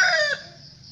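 A rooster's crow, heard only at its harmonic-rich final note, which drops sharply and cuts off, followed by a faint hiss.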